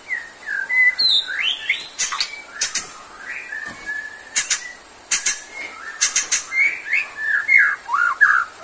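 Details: White-rumped shama (murai batu) in energetic song, played as therapy for shamas low on stamina: rich, varied whistled phrases, rising and falling slurs mixed with sharp clicking notes, delivered in quick bursts throughout.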